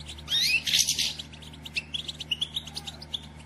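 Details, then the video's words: Female European goldfinch calling to excite the male into song: a loud, bright twittering burst opens, followed by a fast run of thin, high chirps, roughly three per second, somewhat irregular. "بتبتة أنثي حسون لتحفيز الدكر علي التغريد والهيجان"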